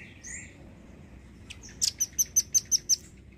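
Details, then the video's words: Velvet-fronted nuthatch singing vigorously, a bird whose song is used to tutor other songbirds: after a few scattered chirps comes a fast, even trill of about eight sharp, high notes, roughly five each second. "BURUNG RAMBAT GACOR...!! JENIS RAMBATAN PARUH MERAH YANG DI JADIKAN UNTUK MASTERAN BURUNG KICAU"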